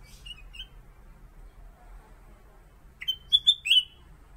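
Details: Kutilang emas (Pycnonotus melanicterus), a kept songbird used as a master tutor for white-rumped shamas, sings a short phrase of about five bright, slurred whistled notes, mid-high and rising then dipping, over a quiet hum.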